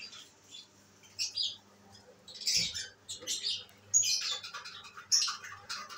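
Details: Captive albino red-eyed lovebirds at home, chattering: scattered sharp, high squeaky chirps and short squawks arriving in irregular bursts about once a second, with a steady low electrical hum beneath.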